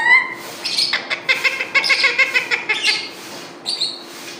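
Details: Pet parrot chattering in a rapid string of short, harsh, squawky syllables with bright high-pitched tones, pausing briefly before two final sharp notes, in a room with faint background hum.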